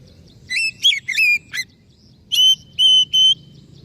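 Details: Oriental magpie-robin singing a quick group of warbled, bending notes, then three steady, level clear whistles of equal length; faint low hum in the background.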